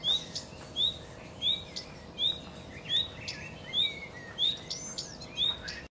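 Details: Song of a common redstart: clear, thin, upward-slurred whistles repeated roughly every 0.7 seconds with clicking notes between them, a low mechanical hum running throughout.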